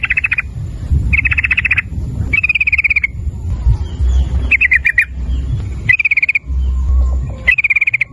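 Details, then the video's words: Sooty-headed bulbul lure recording, played to get others singing, with six quick bursts of clicking pulsed notes in a 'ropel' rattle style, separated by short pauses over a steady low rumble. "Suara Burung Trucukan PANCINGAN Trucukan Agar Bunyi Ropel nguklik dengan Trucukan Gacor ini"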